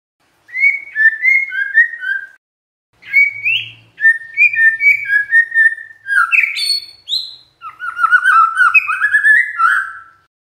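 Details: Magpie-robin song played to make other magpie-robins react, several bursts of clear whistled phrases with slurred downward notes, followed by a faster, richer warbling passage with rising whistles.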